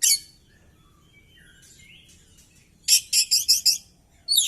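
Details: Oriental magpie-robin singing while fighting with tail spread; a harsh opening note and soft quiet whistles give way to five rapid, loud grating bursts, then another harsh note.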